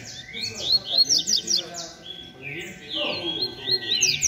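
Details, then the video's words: Rusty-collared seedeater of the 'beco' type singing in competition among other birds: fast bursts of sharp, slurred whistles and chips, high-pitched and rapidly repeated, with overlapping songs from rival birds. "COLEIRO DO BECO DISPUTANDO NA BADERNA"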